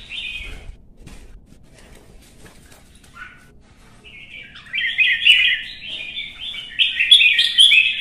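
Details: Red-whiskered bulbul, stirred up to sing competitively: a brief phrase, then near silence with faint taps, and a loud, rapid, tumbling warbled song building over the last few seconds.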